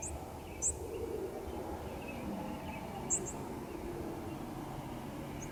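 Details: Vesper Sparrow nocturnal migration flight calls caught by a rooftop microphone at a house during the morning chorus: a few very high, thin notes that rise in pitch, spaced irregularly, over steady hiss with faint distant robin song.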